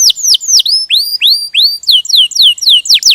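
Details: Canary singing vigorously in ngerol style, a steady series of loud sharp whistles sweeping downward or arching, roughly four per second, bright and high with no other sounds.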